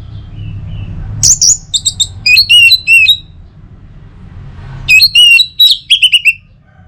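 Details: Orange-headed thrush song used in the morning to prompt other birds to sing: after quiet low hum, loud clipped high whistled and chattering phrases with sharp down-slurs come in two bursts separated by a short pause.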